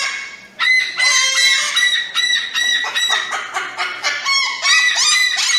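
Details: Crested cockatoo, an ornamental bird noted for a loud, shrill voice, giving a rapid run of harsh, nasal, harmonic-rich squawks about two or three per second after a brief quiet start. The calls overlap, with no other sounds.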